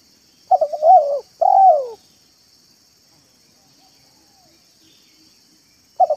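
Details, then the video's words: A spotted dove (balam/tekukur) on a lure recording used to attract doves gives a hoarse, rolling coo in two quick phrases, the second drawn out and falling, then starts again, over a steady high insect-like hiss. "BALAM AJARAN MANGGUNG DAN MERATUS"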